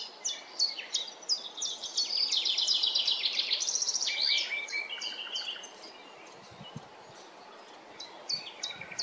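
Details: Common chaffinch in a forest delivering a full song phrase: a quick series of bright notes tumbling downward in pitch and ending in a flourish, with scattered high chirps before and after and faint low rustles.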